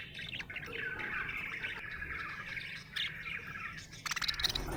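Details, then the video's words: A budgerigar chirping happily in a fast, rambling warble of squeaky twitters, ending with a burst of clicking, rattling notes. "Happy budgie chirping sound"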